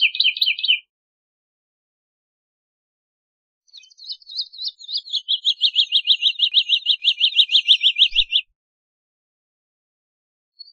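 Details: Woodlark, Lullula arborea, delivering a long song phrase: a short trill, then after a pause a soft opening that builds into a fast, steady trill of looping notes over about five seconds.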